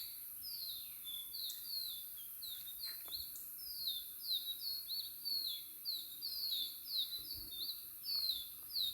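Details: Natural birdsong: rapid run of short downward-sliding whistles, about 97 per minute, irregularly spaced and overlapping, with faint low rustling beneath and constant high hiss.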